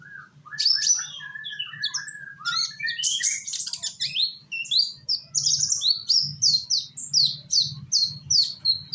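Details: Indonesian sunbird, a young bird whose singing serves as a lure to set other birds singing; high chirps build into a run of quick, evenly repeated sliding notes, about two per second, with a low background drone.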